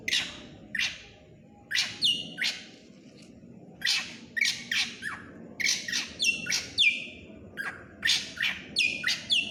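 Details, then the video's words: Black drongo in full lively song, a rapid series of harsh, scratchy chirps and downslurred squawks, some with buzzy ringing tails, in irregular bursts. "srigunting krantil gacor"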